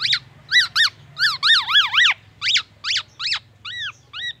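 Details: Black-naped oriole mimicking an ambulance siren and oriental magpie-robin: loud arching whistled notes, some linked into a wavering siren-like run, then slower, softer downturned whistles, against a constant low hum.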